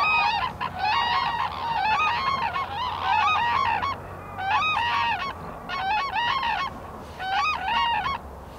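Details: Wintering Black-necked Cranes forage in Bhutan's Phobjikha Valley, giving dense, overlapping trumpeting honks in clustered bursts, several cranes calling at once, with short pauses between bouts.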